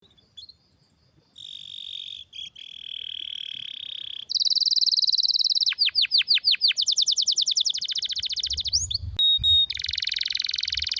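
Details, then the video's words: Canary with a rare, strong song offered as a tutor for training other canaries: rapid trills, a buzzy steady tour, a run of falling sweeps, then fast rising notes and a pure whistled tone, all high-pitched. "Canário com Canto Raro e Forte – Ótimo para Seu Mestre Canário HD - CANARY SOUND MELODY"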